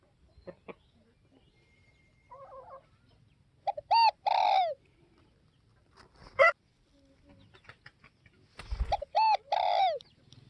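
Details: Spotted dove, northwest Vietnam, repeating its three-part coo twice, each a short note then two longer hollow coos. Scattered clicks, a soft burbling sound and a sharp knock come between the phrases.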